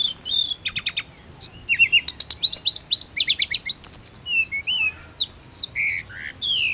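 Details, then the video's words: Mountain leafbird, kept for ngirik call training: a lively run of sharp high chips, quick trills and arched whistled notes, closing with drawn-out falling slurs and rising sweeps. "TLEDEKAN GUNUNG HANYA NGIRIK"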